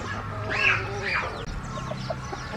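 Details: A loud arched squawk from a chicken rises and falls, followed by softer scattered clucks from other birds over low humming noise.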